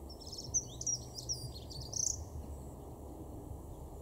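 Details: A Dunnock in a garden in Weener, East Frisia, northwest Germany, February 2023, gives four or five thin, very high 'tseep' notes about half a second apart, over a steady low rumble of distant traffic or wind.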